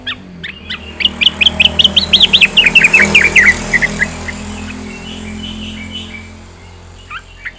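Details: Singing yellow-vented bulbul delivers a long run of rapid, bright chirping notes that climb then slowly descend, trailing into softer notes, with a steady low rumble like traffic underneath.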